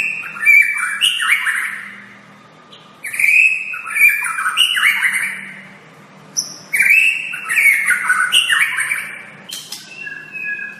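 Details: White-rumped shama masteran, a tutor song for training shamas: loud, rich bursts of varied whistles, slurs and harsh chattering notes in long phrases, with pauses near three and six seconds between bouts.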